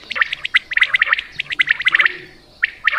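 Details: Punjab quail call used in hunting, a dense run of quick clipped chirps in tight clusters, then a brief pause before more sharp notes.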